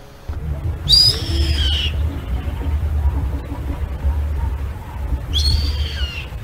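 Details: Yellow-headed Caracara in Brazil, a common bird known for perching on horses, cattle and sheep to pick off ticks, giving two long, high, slightly falling screeching whines about four seconds apart, over a low musical hum.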